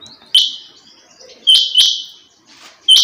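A female rain quail gives sharp, high, metallic chirps that start abruptly and trail off, repeated irregularly about every second.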